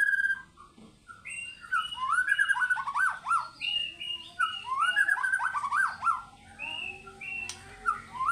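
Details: Fighter-style song of a white-rumped shama showing off its repertoire: fast, varied phrases of sweeping whistles and sharp downslurred notes, delivered in bursts with brief pauses between them.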